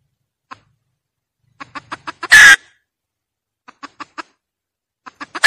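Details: Hen cackling, used as a lure for catching: runs of short clucks in bursts, each series ending in a loud harsh squawk, with silent gaps between.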